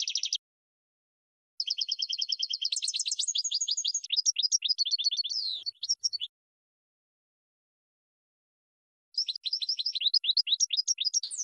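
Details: Training song of a European goldfinch for birds to learn from: bursts of fast, buzzy trills and tinkling, sliding notes. Long phrases of several seconds are broken by gaps, with a brief soft squeaky passage in the middle.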